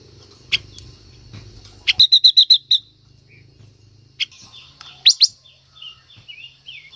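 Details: Silver-eared mesia female singing to prompt a male: sharp chips, then a fast run of six loud clipped notes, followed by soft slurred whistles and a pair of rising sharp notes.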